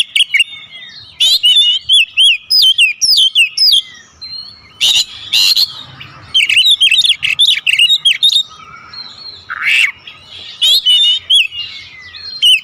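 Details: Kept Oriental magpie-robin delivering a long, full song packed with mimicked phrases and calling notes: fast, looping whistles, chattering trills and sharp chips in dense bursts, with only short gaps between them.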